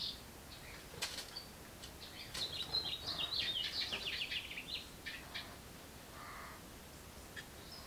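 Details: Young house wrens inside a birdbox call for food as a parent arrives: a short, dense burst of high, rapid chirps and scratchy notes in the middle, then scattered thin chirps over quiet background noise.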